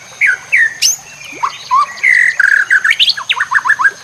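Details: White-rumped shama song intended for training other birds: a dense medley of slurred whistles, a sharp high upsweep, buzzy mid-pitched notes and a closing run of quick, choppy repeated notes, with a steady background hiss.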